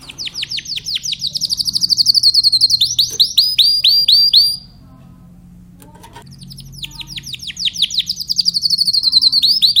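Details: Rapid trilled song of a Timbrado canary, about four notes a second rising to sharp upswept whistles, a short silence, then the fast trill starting again.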